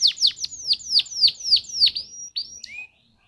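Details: Canary singing as a lure to trigger other canaries: eight sharp descending sweeps at a steady pace, then two higher upslurred notes before silence.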